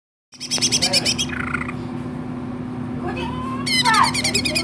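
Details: Greater green leafbird singing energetically, a mix of harsh buzzy harmonic bursts, a short falling whistle and squeaky rising notes, over a steady low hum.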